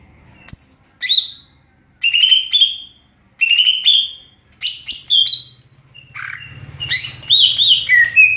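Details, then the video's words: Greater green leafbird in ngeplong style, pouring out varied whistled phrases: high sharp notes, lower sustained whistles, then a faster jumble of rising and falling notes over a faint low hum. "Burung cucak ijo NGEPLONG2.."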